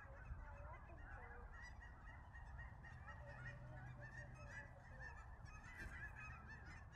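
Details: Cackling geese arriving in waves to land at Billy Frank Nisqually National Wildlife Refuge, February 2023, keep up a dense, continuous chorus of high, yelping honks and cackles over a steady low rumble.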